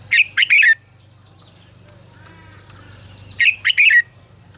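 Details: Red-whiskered bulbul song of the 'ché căng lửa' kind, meant to train other birds: a brisk three-note warbled phrase, a quiet pause with faint low murmuring, then a matching rich, fast phrase.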